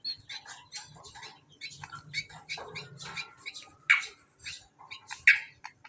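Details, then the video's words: Hand-reared greater green leafbird singing for a master recording: a fast jumble of sharp chips, twitters and brief whistles in uneven bursts, with a faint low hum underneath. "Suara burung cucak kombo"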